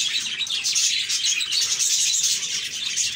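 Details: Budgies in cheerful chatter, rapid overlapping chirps and thin whistled notes forming a lively steady warble with no gaps.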